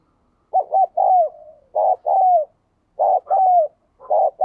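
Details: Spotted dove kept as a decoy, calling to make another dove start cooing quickly. Low hollow coos come in paired notes with a drawn-out falling second note, given in three bursts about a second apart.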